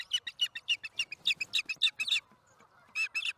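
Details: Nest-cam osprey during a fish delivery on an April 2019 afternoon, giving rapid bursts of high, piercing chirps that run in quick series, pause briefly, then resume with a fresh string of harsh whistles.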